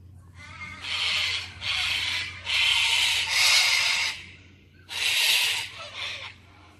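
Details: Cockatoos in Oxley Avenue screech repeatedly: five harsh, noisy, drawn-out squawks, each about half a second to a second long, come in quick succession with a short pause before the last, over a low steady hum.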